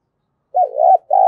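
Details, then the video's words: Spotted dove coo used as a lure to provoke calling, cu gáy giọng thổ style: a low, wavering coo phrase followed by the start of a second steady note, cut short. Quiet background. "Tiếng chim cu gáy thúc bổi hiệu quả nhất - Chim Cu Mồi"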